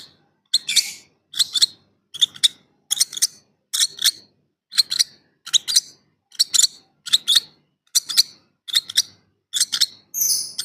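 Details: Hungry lovebird chicks begging: harsh, raspy, hissing calls in short bursts, given steadily about every three-quarters of a second, with silence between bursts and no other sounds.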